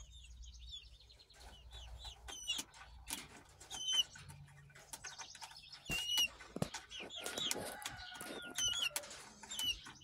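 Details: Two chicks of unidentified breed, hatched 5.3.2023, recorded July 24, 2023: repeated short downslurred peeps among wing flapping, scratching and rustling noises.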